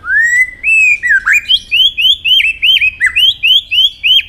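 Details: Many-voiced competitive song from a white-rumped shama: a steady run of loud, clear rising whistles, each slurred upward and repeated about three times a second, with a few hooked notes between.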